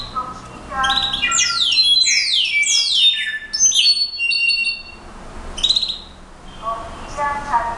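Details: Song of a brown-backed solitaire, fast cascading whistles each dropping sharply in pitch, followed by level ringing notes and a pause. Lower, richer harmonic calls are heard at the beginning and close.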